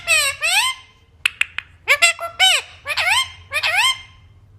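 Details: Parrot vocalising indoors with squeaky, speech-like chatter: arched, harmonic calls in short groups, a few sharp clicks near the middle, and a low background hum throughout.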